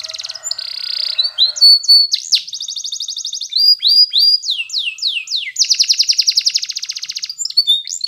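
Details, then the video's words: Yellow Spanish Timbrado canary singing a powerful training song: a buzzy high trill opening, then rapid downward-sweeping notes and long fast rolling trills, with phrases changing every second or two. "Canary's Most Powerful Song For Training !! Yellow Canary singing"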